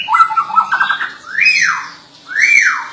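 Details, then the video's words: White-rumped shama (murai batu) gacor song: a short rattling trill, then two loud, clear whistles that each sweep up and fall back down, separated by a brief pause. "Murai Batu gacor chirping"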